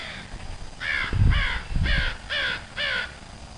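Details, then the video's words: Crow calling with five harsh, hoarse caws spaced about half a second apart, each with a slightly falling, layered tone. Low dull thuds run underneath the middle calls. "Crow Calls"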